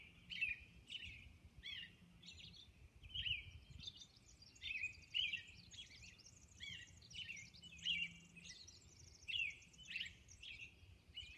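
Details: Robin heard at dawn on Orcas Island, pouring out repeated whistled carolling phrases with short breaks, softer notes in the gaps and faint low background noise.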